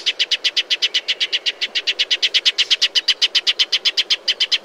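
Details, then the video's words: Shining sunbird from a natural desert habitat, calling in a steady, unbroken stream of loud, metallic, clipped notes, about four per second, throughout. "Shining Sunbird’s Call"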